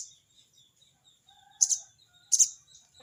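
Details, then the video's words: Sogon calling out to a rival with harsh crecet cerecet notes: two loud, scratchy, very high double bursts under a second apart, a faint lower whistle and a steady pulsing insect buzz behind. "burung sogon bunyi crecet cerecet!!sogon manggil lawan!!"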